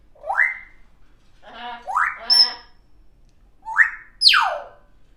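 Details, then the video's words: Young pet African grey parrot producing funny noises: rising whistled sweeps, a buzzy speech-like phrase, and a final falling squeal, spaced irregularly with short silences. "African Grey Parrot doesn’t just talk she makes all sorts of funny noises"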